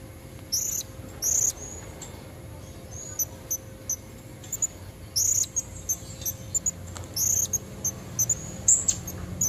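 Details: Female Blue-crowned hanging parrot calling to attract red-necked males in nature: sparse, very high, thin squeaky notes in brief clusters separated by pauses, over soft background hiss.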